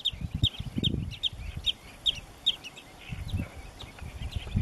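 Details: Marsh sandpiper (Tringa stagnatilis) in Cyprus giving thin, high, clipped calls in a quick series, about two or three a second, over low rumbling wind and handling noise.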